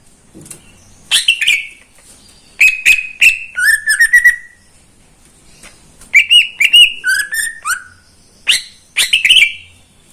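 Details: Morning singing from a neighbour's caged greater green leafbird: clustered bursts of clicky whistled notes at two pitch levels, with rattling trills between them and short silent gaps.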